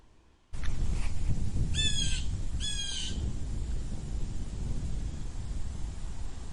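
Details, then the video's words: A blue jay gives two harsh, nasal jeers about a second apart, each slightly falling, over a steady low rumble of wind. "Blue jay Sound Effect"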